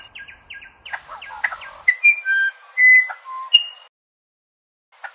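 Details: Musician wren singing a run of short repeated notes, then pure whistles held at different pitches, rising and falling like a simple tune, ending in silence.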